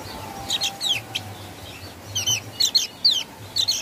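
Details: Javan grey-throated white-eye singing in the ngeplong style: scattered short, high, sharp chirps and quick downslurred notes, some in close pairs, over a low steady hum.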